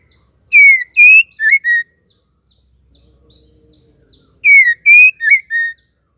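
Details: Female white-rumped shama call, used to stir male shamas into full song and provoke them; two bursts of four loud clear whistled notes, the first falling, the next level then wavering, separated by faint short chirps.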